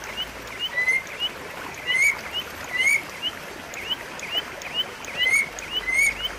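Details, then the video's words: White-rumped shama (murai batu) song, a lure and training recording meant to prompt a shama that has stopped singing: bright upslurred whistles repeated about every half second, interspersed with high thin ticking notes, over faint steady hiss. "pancingan dan masteran murai batu macet bunyi"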